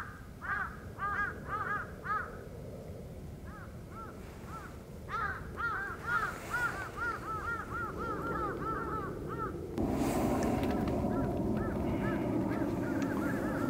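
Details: Red-crowned cranes, a protected and endangered species. Repeated loud, trumpeting, bugle-like calls come in rapid series, several birds overlapping, over a steady low rumbling background that grows louder toward the end.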